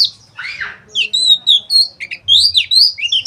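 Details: Oriental white-eye singing in a sequence aimed at drawing out rough chattering: one lower sweeping note opens, followed by quick, bright, high warbled twitters in short bursts, with steady low hum underneath.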